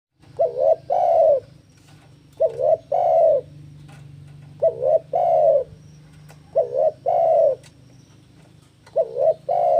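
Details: Spotted dove song used to lure and train doves: four full phrases about every two and a half seconds, each a quick wavering double coo followed by a longer, louder coo, over a steady low hum.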